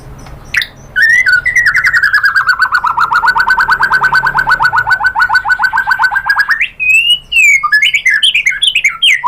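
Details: White-rumped shama, known locally as murai batu, singing a lure song used to provoke other birds to sing: a long rapid trill descending then holding steady, followed by sharp whistled notes sliding up and down.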